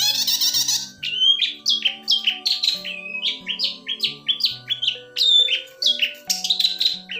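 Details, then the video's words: Long-tailed shrike on a lure track for silent caged songbirds, giving a fast series of sharp, varied chirps and downslurred whistles, roughly two to three per second, against a continuous background of droning music. "Suara Pentet Guacor"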